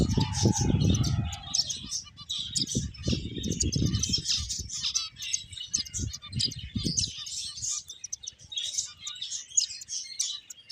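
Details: Playing finches keep up a constant high twittering of quick chirps, while a low rumbling noise runs through the first seven seconds and then fades.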